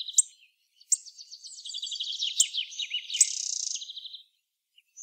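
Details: Hawfinch with a rapid, twittering, stuttering run of mid-high notes broken by sharp, high clicks, lasting about four seconds before falling silent.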